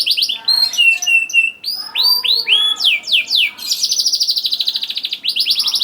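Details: Canary lure song for young birds: clear whistled notes and downward-curving chirps at first, then a long, rapid, rattling roll at high pitch, broken by short breaks between phrases.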